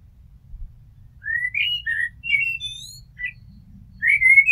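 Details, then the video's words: Blackbird song from a house blackbird: a series of mellow fluted whistles, rising and falling, given in short phrases with brief gaps, ending on a louder upward-sweeping whistle followed by fine high twitters. "Amsel Gesang - Merle Noir Chant - Blackbird Song - Mirlo Cantando"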